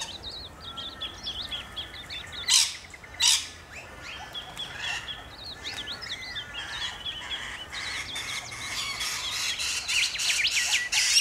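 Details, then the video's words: Rainbow lorikeets in Australia keep up high, wiry twittering, cut by two sharp harsh screeches early on, then the chatter grows denser and louder toward the end. "Rainbow Lorikeets"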